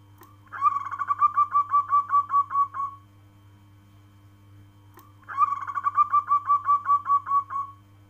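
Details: Two long cooing phrases from a local zebra dove, each about ten rapid, soft, bubbling notes at a steady pitch, separated by a pause of roughly two seconds, with a steady hum behind.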